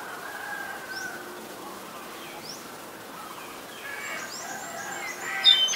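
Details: Streak-eared Bulbul in Ubon Ratchathani, Thailand, on 4 February 2020 gives scattered, thin, rising chirps, then a brief burst of sharper twittering notes near the end over a steady low hum.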